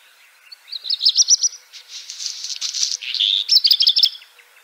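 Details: High-pitched black redstart phrase of rapid thin notes, a harsh scratchy crackle in the middle, then a fast jingling flourish at the end.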